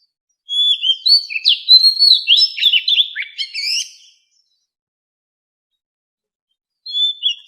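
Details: Voice training song from a white-rumped shama for captive birds: about three and a half seconds of varied whistles, quick slurred notes and rapid chattering chips, then silence and a final soft whistled note.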